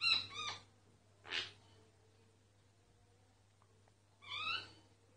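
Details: Singing myna, recorded quietly to avoid stopping it: harsh stacked chattering notes at the start, a single burry rasp a second later, then silence before another chattering phrase of rapid wavering notes; faint low hum throughout.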